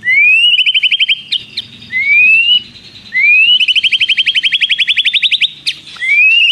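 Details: White-rumped shama song filled with prenjak mimicry and long trills: rising slurred whistles repeated about every second, each leading into a fast rattling trill, one trill lasting nearly two seconds.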